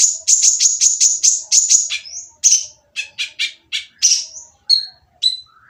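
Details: Rasping purple-throated sunbird song, used to goad silent birds into calling. Opens with a fast, even string of ten high chips, then slower, buzzy scratchy notes and a few thin descending whistles.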